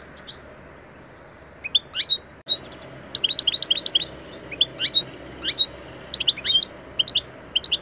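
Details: Goldfinch song lesson, taneli çipet type with much cibili: scattered bright chirps and short twittering phrases after a quiet start, with irregular gaps between bursts.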